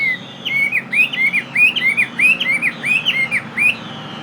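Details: Chinese hwamei, a tame fighting bird of Northwest Vietnam origin kept in Saigon, repeats a looping whistled phrase about eight times, each rising then dipping, roughly twice per second.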